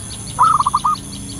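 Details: Wild local zebra dove giving one cooing phrase: a stretched first note, then four short rolled coos in quick succession, with faint high bird chirps behind it.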